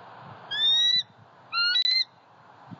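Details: Eagle in Southwest Florida, recorded at a pond on 23 February 2020 from cameras. Two thin, high whistled notes, each slightly rising and about half a second long, separated by a short pause, over a steady low background hiss.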